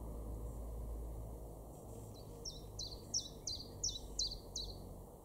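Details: Common Chiffchaff in a garden at Weener, East Frisia, northwestern Germany, in May 2022. After two seconds of low rumble, a series of seven or eight clipped, high, descending notes begins, regularly spaced about a third of a second apart.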